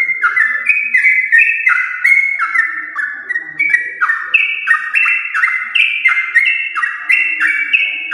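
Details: Yellow-vented bulbul in lively, long unbroken song used as a lure for house bulbuls: bubbly, liquid whistled phrases stepping up and down, about three notes a second, with no pauses.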